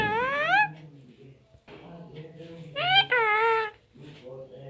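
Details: Indoor parrot, nine months and nineteen days of age, talking in Hindi: a rising harmonic phrase at the start and a louder pair of high syllables midway, over continuous low human speech in the room.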